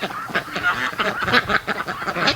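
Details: Free-range domestic ducks during their morning rush on a Sunday, a flock calling together: loud, harsh, nasal quacks and honks overlapping in quick bursts, several birds at once, rising and falling in a busy chorus.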